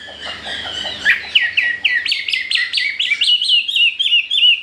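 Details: Chinese hwamei, newly arrived and singing well among household birds, accelerating into a fast string of crisp down-and-up whistled notes, several per second, bright and clear throughout.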